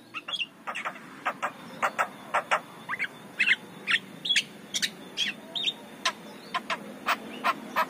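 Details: Javan myna song for the morning, meant to attract other mynas: clipped sharp ticks and short whistled chips in an irregular quick sequence, with a few buzzy slurred notes.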